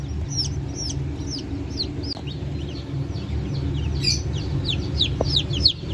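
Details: Freshly hatched Brahma chicks mixed with Modled and Wyandotte hatchlings, 1 May 2024. Quick, thin downward-sliding peeps tumble out several per second, one louder burst near the middle, all over a constant low droning hum.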